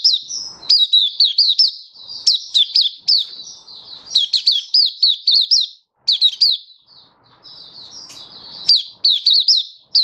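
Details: Malaysian white-eye (mata puteh) in cheerful open song, Singapore, warm sunny stable weather on 20 March 2023; long sequences of fast, piercing, down-slurred chirps with short pauses and occasional faint background noise.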